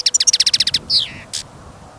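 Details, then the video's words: Caged European goldfinch kept for listening, singing confidently on a snowy, windy trapping trip: a rapid, evenly spaced trill of about a dozen bright notes, then a falling buzzy slur and one short rasp. "Пение щегла - Голоса птиц. Щегол на прослушивании запел."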